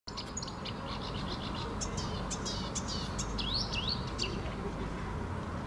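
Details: An unidentified small bird moving in a bush in Helsinki, Finland, gives high, thin chirps and quick rising-falling notes at an irregular pace, over a steady low rumble of background noise.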